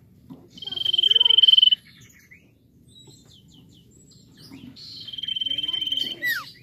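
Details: Common iora in full, lively song, played to prompt other birds to sing: a sustained high trilled whistle, a pause, then a second long trill ending in a sharp downward slur, against a soft low hum.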